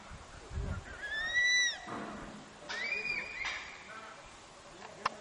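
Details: Crested serpent eagle pair duetting in breeding season, 18 December, outside a nature camp near Dandeli, Karnataka; loud ringing whistles, each rising then falling, the second bird answering after a pause, with faint rustling between.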